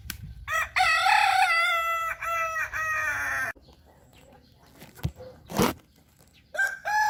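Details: Long crow from a hobby-bred Kukuak Balenggek rooster: a loud, drawn-out call of about three seconds that gradually falls and fades, then a pause with knocks, and a fresh crow starting at the close.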